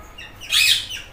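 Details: Indian ringneck parrot, green form, imitating a cat's meow: one brief harsh, high nasal squawk lasting about a quarter second.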